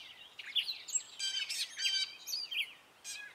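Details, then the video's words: Spring song of a male gray catbird, short mixed notes that include imitations of other birds: scratchy slurred phrases, harsh stacked chatters and squeaks, some repeated, in clean quiet surroundings. "Gray Catbird singing his spring song!"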